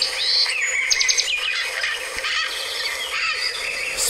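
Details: Speckle-faced parrot (Pionus tumultuosus), a bird of Rio Blanco reserve, Caldas, Colombia, giving harsh, grating screeches in quick, high, dense bursts over a steady hiss.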